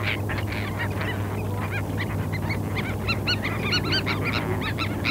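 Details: Terns on a sandspit at Murrell's Inlet, South Carolina, 8 April 2017, parabolic microphone: scattered grating calls, quieter at first, then a run of clearer, ringing arched notes, all over a prominent low hum.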